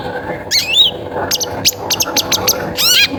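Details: Long-tailed shrike singing a prompt song meant to spur other shrikes into song: a scratchy rising phrase, then a quick series of clipped high chirps about every quarter second, closing with a harsh buzzy trill.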